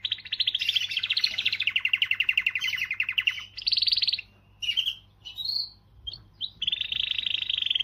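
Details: Canary singing a powerful song meant to stimulate females: fast trills of repeated notes, one rolling tour falling slightly in pitch, then short whistled bursts and a steady buzzy trill to finish.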